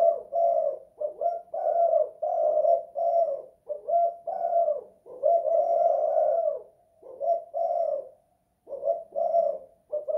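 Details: Indoors in a house, a spotted dove gives kuk 2 / guk 1 style coos: a near-continuous series of soft, hollow notes, short and long, with one brief pause near the end.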